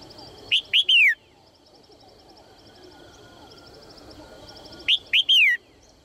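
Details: Red-whiskered bulbul, a female calling to encourage males to sing: a three-note whistled phrase, two short rising chirps and a falling slur, repeated after about four seconds with light background noise.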